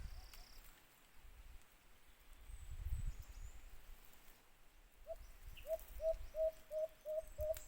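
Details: Rustling and low rumbling noise give way to a white-eared brown dove (alimokun) calling near a cage trap: about seven short, even, low-pitched hoots in a quick row at the end.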